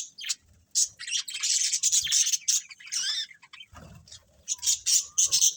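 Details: A budgerigar colony chirping continuously, with a long run of buzzy, warbling chatter, a brief lull, then renewed bursts of high chirps.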